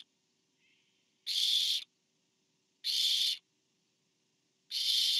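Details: Barn owl on a nest cam, 24 September 2015, during a parent's food delivery to the fourth owlet; three rasping, breathy screeches, each about half a second, spaced near 1.7 seconds apart after a faint short note.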